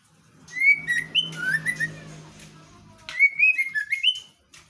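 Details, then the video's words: ['Female White-rumped shama singing: loud whistled phrases with slurred, rising and falling notes, a pause of over a second, then another bright run of varied whistles. A low hum sits underneath.'] "MB betina GACOR sampai AKHIR"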